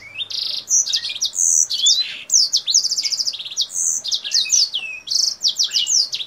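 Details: Kingthroat singing vigorously in high and low phrases while spreading its wings, its voice said to resemble a Blackthroat's: a rapid, varied run of high whistled slurs, buzzy trills and chirps, nearly unbroken, with faint low background hum.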